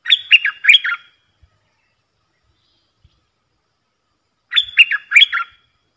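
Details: Streak-eared bulbul decoy song used for luring wild birds: a loud, quick phrase of three or four bubbly, chirpy notes that dip and rise, given twice about three and a half seconds apart in otherwise quiet surroundings.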